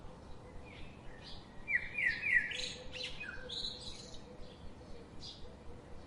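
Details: Robin singing in a forest: a quick run of high, bright whistled and twittering notes, louder in the middle, followed by scattered chirps, with a faint low steady hum underneath and other birds chirping in the background.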